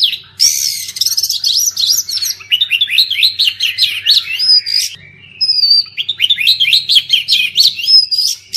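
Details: Oriental magpie-robin singing, played to rouse birds gone mute after moulting: fast, loud runs of sharp rising whistles and chirps, a brief pause midway, then another rapid scratchy, twittering phrase.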